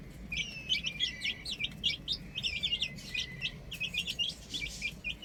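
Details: Baby chickens playing on a roof, a group peeping in high, thin, downslurred chirps that come in quick overlapping bursts, with a low rumble of background noise.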